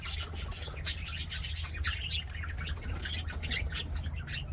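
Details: Budgerigars in an aviary singing and playing: a dense, continuous warbling chatter of quick high chirps and scratchy squawks with no pause, one sharp click near the first second, over a steady low hum.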